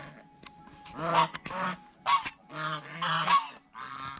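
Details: Geese feeding on bread and fresh vegetables at a fish pond give harsh, nasal honks in short bursts, several overlapping calls clustered between one and four seconds.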